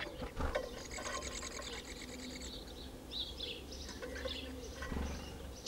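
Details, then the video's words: Eurasian magpie at the edge of a small pond in central France, Nouvelle-Aquitaine, in late April 2017. A harsh, rapid rattling chatter of evenly spaced notes runs for about two seconds, with other birds calling faintly and low background rumble. "PIE Bavarde"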